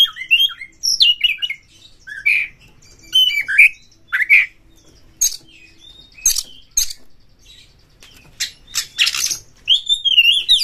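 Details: Caged white-rumped shama roused to fight a rival, pouring out varied song: sharp clicks, harsh bursts and clear slurred whistles, phrases coming every second or so with brief pauses.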